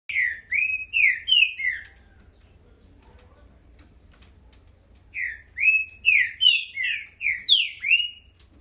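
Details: Green-winged saltator singing: bright whistled phrases of slurred, rising and falling notes, a burst of about four notes, a pause of three seconds, then a longer run of seven or eight rich whistles.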